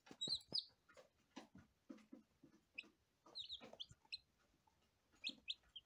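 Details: Lavender Ameraucana chicks on their first day give bright, high, slightly downslurred peeps in small clusters, separated by brief pauses, with faint tapping underneath.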